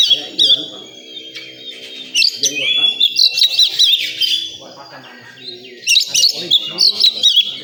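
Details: Singing contest setting: oriental magpie-robin bursts of sharp, sweet whistles and quick chirps come in two loud spells separated by a quieter patch, with people talking softly in the background.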